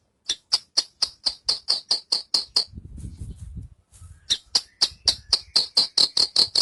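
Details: Javan bush lark delivering a fast series of crisp, high chipping notes, about three per second, broken by a brief low rumbling pause before the even, repeated notes resume.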